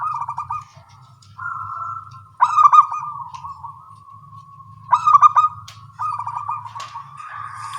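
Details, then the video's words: Eagerly singing small-voiced local zebra doves answer one another in the morning with choppy trills and long wavering coos over a steady low hum, plus a few faint high chirps near the end. "Perkutut lokal suara kecil gacor pagi hari bersahutan"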